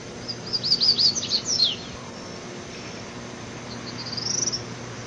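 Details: A double-collared seedeater sings a wild-type (mateiro) song: a quick run of high, sweeping chirps lasting about a second, then a short, thin, high trill after a pause, over faint background hiss.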